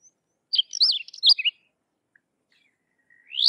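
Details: Sykes's lark of dry open country in India singing: a short burst of high warbled, looping chirps around one second long, then silence and a rising high note at the end.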